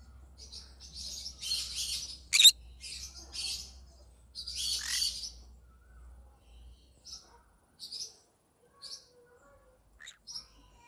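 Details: Yellow-sided green-cheeked conure singing: a cluster of buzzy, raspy high chirps and one sharp loud note early on, then widely spaced short soft chirps trailing off.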